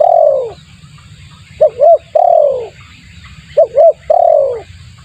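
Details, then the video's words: Lure call of the spotted dove, phrases of a long downward coo and two quick coos repeating roughly every two seconds, steady low hum in the background. "suara pikat tekukur bagus untuk pancingan"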